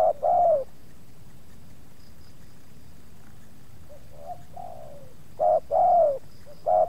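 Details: Spotted dove calling in a Subang luring session with two wild doves approaching; one long falling coo, a quiet pause with faint distant coos, then renewed paired coo notes near the end.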